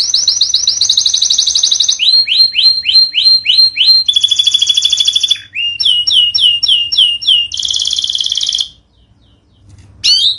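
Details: Canary training song (masteran) meant for birds that have stopped singing: high, fast trills in several changing phrases, each sweeping note repeated rapidly, shifting between thin buzzy rolls and bouncy rising chirps, ending after a short pause with one sharp note.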